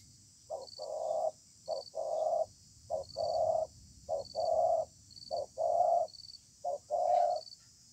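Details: Stubborn wild spotted dove calling in a contest under a communal house, spaced "bài thưa" song: paired low coos, a short note then a longer one, repeated steadily about once a second, with faint background hiss.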